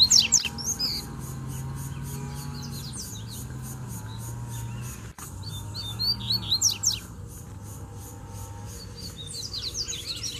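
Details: Wild Double-collared seedeater in the bush, calling to fight over territory; quick bursts of whistled and buzzy rising-falling notes in two phrases separated by a quiet gap, with steady low hum underneath.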